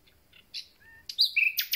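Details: Common nightingale, freshly returned, giving a short fragment of song: a few thin whistles, then loud sharp chirping notes close together.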